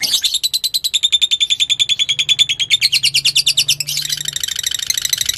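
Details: Lure song of a fighter lovebird, meant to set another lovebird singing. A long run of evenly spaced, piercing chip notes, steady in pitch, breaks into a faster, harsher, buzzing chatter.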